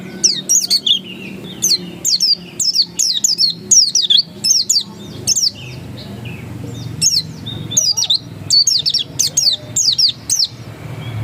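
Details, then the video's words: Pleci dakun, the oriental white-eye, singing 'ngotot' style: repeated bursts of high, thin, rapidly falling chirps, regularly spaced, with a brief lull in the middle before the twittering resumes. "Suara Ngotot Pleci dakun"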